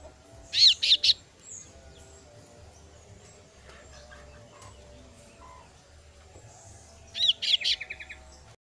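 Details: Female kasu-kasu bird chick calling its parent: two short bursts of sharp, high chirps, one near the start and one near the end, the second trailing into a quick run of fading notes, over a low steady hum.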